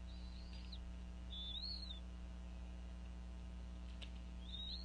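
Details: Female bald eagle calling over a fish at a Northeast Florida nest while the pair feeds their eaglets around 4:40pm; three high, thin whistles, each slurring downward at the end, spaced over about five seconds, with a faint click and steady hum.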